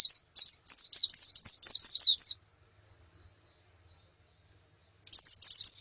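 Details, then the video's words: White-eye calls, female and colony, played to encourage a male's singing: a burst of fast, high twittering notes, a few seconds of silence, then another short twittering burst. "Suara Pleci Betina dan Koloni Untuk Terapi Kicau Pleci Jantan"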